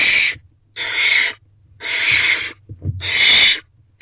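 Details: Excited barn owl owlet inside a nest box at night in May, stirred by the male delivering food, gives four loud breathy hissing screeches, each about half a second long, spaced roughly a second apart, with faint knocks between.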